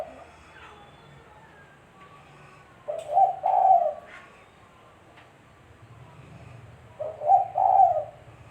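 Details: Spotted dove coos for luring birds into traps: two hoarse phrases about four seconds apart, a short opening note then two longer rolling coos, with faint clicks in the pauses.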